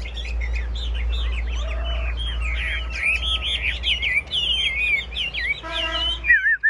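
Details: Chinese hwamei in a caged singing contest pours out a continuous stream of loud, twisting whistles and warbles, with a steady low hum beneath and a short burst of human speech near the end.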